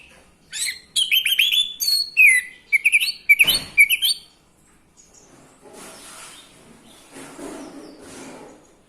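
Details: Orange-headed thrush song, played to stir males into breeding mood and singing. A rapid run of varied sharp whistles and chattering phrases lasts about four seconds, followed by faint rustling background noise.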